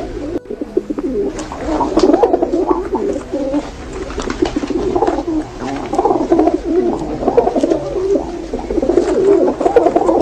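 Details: Racing homer pigeons, homing birds, cooing continuously in a dense low murmur of overlapping coos that rise and fall throughout, with several birds calling at once in an enclosed space.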